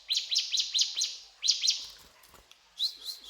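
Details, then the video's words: Ciblek gunung delivering cetrakan phrases: grouped shrill, rising chirps in quick pairs, a pause, then a softer run of sliding notes. "Burung Ciblek Gunung Gacor Cetrakan"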